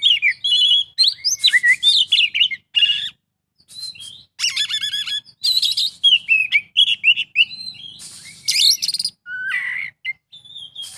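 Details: Dense, almost continuous kacer isian song from an Oriental magpie-robin: many varied chirps, slurred whistles, buzzy trills and chattering runs packed closely together with only short breaks.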